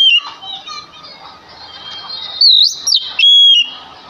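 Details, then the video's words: Male Oriental magpie-robin lure song for provoking other birds: a few loud, pure whistled notes that swoop up and down late in the clip, over a hissy background with faint chatter. "Sekali Dengar Kacer Langsung Nyaut Dengan Pancingan Kacer Gacor Ini"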